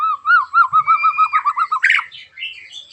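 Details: Singing white-rumped shama, its rough song aimed at prompting other shamas to sing: a steady series of low rolling whistled notes, about six per second, followed by a harsh burst and higher warbles.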